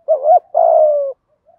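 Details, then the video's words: A single spotted dove phrase in the thổ voice, from a recording of cock and hen birds made to stimulate doves: a dipping then rising note, then a drawn-out, slowly descending coo. "chim cu gáy thúc gù giọng thổ"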